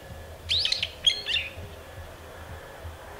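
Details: Brown-eared bulbul calling: two bursts of harsh, squeaky, warbled notes a half second apart, with steady low hum and faint background noise outdoors.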